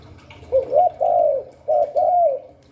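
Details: Spotted dove cooing in the Hạp Bổi voice style: a short low coo, then a hooked note and a long falling drawn-out coo, then after a pause two more mellow coos, with a faint low hum underneath.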